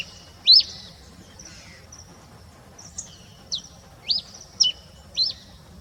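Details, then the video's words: Red pileated finch in the pre-dawn dark: one loud high downslurred note, a pause, then several softer sharp falling notes spaced about half a second apart. The background is quiet. "O canto do tico tico rei na madrugada"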